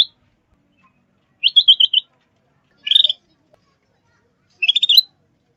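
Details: Sooty-headed bulbul lure call for trapping and training: short bursts of bubbly chattering notes separated by silent gaps of about a second, each burst a quick run of clear warbled syllables.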